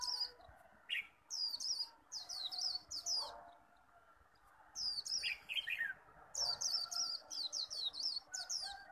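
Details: Contest-singing Japanese white-eye, a caged bird in intense líu style provoking an opponent: clusters of fast, high, sharply falling notes broken by short pauses, with a few lower chirps underneath.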